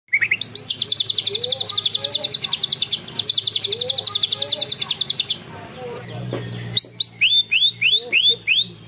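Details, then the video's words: A greater green leafbird gives a fast, high, canary-like rattling trill for about five seconds, then a string of loud rising whistled sweeps, over a low steady hum. "cucak ijo materi ngunci kenari"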